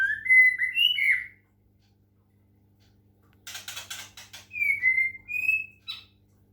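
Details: Murai batu, the white-rumped shama, from Medan singing after water-sound therapy; quick looping whistled notes, silence, a cluster of harsh scratchy clicks, then three clear whistles stepping downward and up again.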